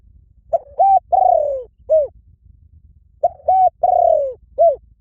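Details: Spotted dove repeating a four-note cooing phrase twice, about three seconds apart: two short hoots, a long coo sliding downward, then a final short note. No other sounds.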